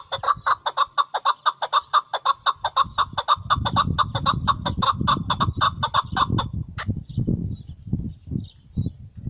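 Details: Chukar partridge (hunting chakor) repeating loud clucking chuk notes in a long rhythmic run for over six seconds, then stopping as heavy low rumbling noise takes over.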